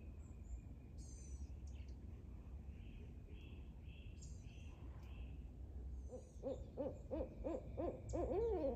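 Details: Two barred owls on an active morning in a backyard nature preserve burst into a fast run of loud, arched hoots and wild cackling near the end, after higher chirps from small songbirds.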